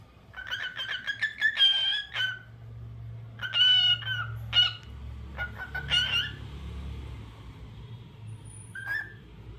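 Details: Singing cockatiel: clustered whistled phrases with rich overtones, a few sliding upward, repeated in bursts every couple of seconds and ending with one lone call, with a low droning hum underneath.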